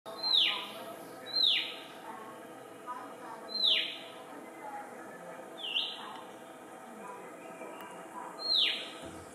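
Rufous Whistler giving loud, ringing whip-like notes that drop sharply in pitch, repeated about every one to two seconds over a soft background hiss.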